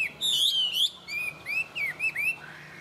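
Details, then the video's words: Tame, caged Chinese hwamei in good voice, opening with a loud sustained warbled whistle, then several short upward-swept notes in quick succession and a fading slurred tail; quiet steady hum beneath. "Họa mi thuần hót tốt"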